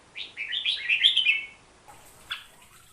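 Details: Hook-billed bulbul, a Bornean forest species, with one continuous rolling warble of slurred notes lasting over a second, followed by a faint short note.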